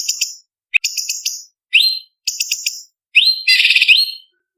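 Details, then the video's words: Leafbird in a contest-training recording, giving a fast mix of high ticking chirps, rising whistled slurs and a closing scratchy chattering trill. "Masteran Cucak Cungkok Istimewa ~Isian Kasaran Pedas Variasi ~ Tembakan Masteran Burung Lomba"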